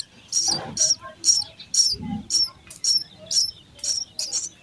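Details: Feeding time at a house sparrow nest, with chicks giving shrill, high chirps roughly twice a second in an even rhythm, plus low thumps of movement.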